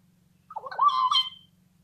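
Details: A Houbara bustard (Chlamydotis undulata) gives one harsh, raspy call about a second long, dipping then rising into a drawn-out nasal note, over a faint steady hum.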